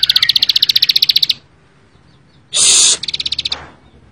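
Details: A ciblek sawah, or Bar-winged prinia, gives a quick high ticking trill, then after a pause a harsh loud burst followed by more ticks.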